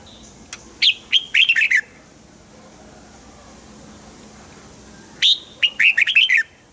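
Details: Red-whiskered bulbul kept in a cage, song meant to rouse other caged birds: two bursts of chirpy warbling, each a sharp rising note then a rapid string of liquid notes, separated by about four seconds of quiet.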